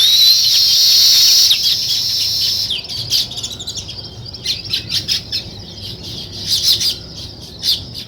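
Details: Weaver birds engaged in nest building: loud, hissing high chatter at first, giving way to a quick series of separate sharp chirps and squeaks.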